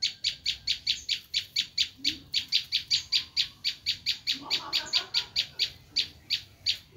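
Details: Bar-winged prinia screaming call, a lure for wild prinias: a steady, unbroken run of harsh, scratchy notes at roughly two to three per second, with a faint lower twitter partway through.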